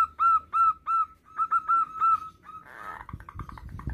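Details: Local male zebra dove calling its mate: a clear series of rhythmic ringing cooing notes, followed by a brief noisy burst and faint rustling at the end.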